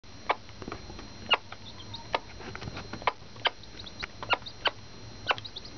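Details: Silkie hen, a mother hen with surrogate Black Copper Marans chicks, alerting them to food: short low clucks in irregular bursts, with faint high chick peeps scattered between.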